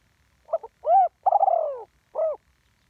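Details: Live spotted dove, a decoy bird kept on the ground, one-kuk pattern: two stuttered lead-in notes, a smooth mellow coo, a long throbbing descending coo, then a final short coo.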